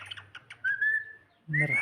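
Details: Pet cockatiel singing: a clear whistled note rising slightly then held, followed after a short pause by a brighter rising whistle, with soft chattering syllables at the start.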